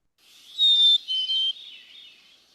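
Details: A Black-capped Chickadee sings its song of two clear, pure whistles, the first higher and the second a step lower, a sweet fee-bee, as given in its breeding territory; another bird sings in the background over faint hiss.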